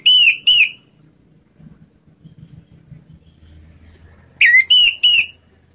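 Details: Orange-headed thrush, slow ngeplong song for luring reluctant singers: a pair of loud clear whistles, a quiet gap of nearly four seconds, then a burst of three quick whistled notes.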